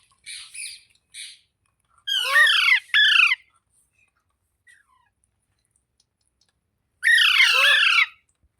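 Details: Parrot calling: two soft short notes, then a pair of loud raspy descending screeches, a pause, and one more long harsh squawk.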